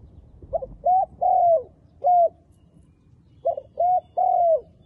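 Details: Decoy spotted dove calling to bring in wild doves for trapping. Two three-part cooing phrases are separated by a single isolated coo. Short soft notes build into a longer, slightly falling low coo, over a quiet background.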